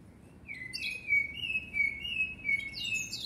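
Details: Blackbird song of drawn-out, fluty whistles held at an even pitch, broken by squeaky high twitters at the start and close, in a quiet setting with faint low rumble.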